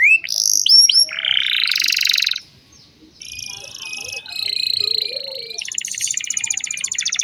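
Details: Canary song aimed at young canaries, with rising whistled notes, a broad buzzy roll, then several steady trilled tours at different pitches.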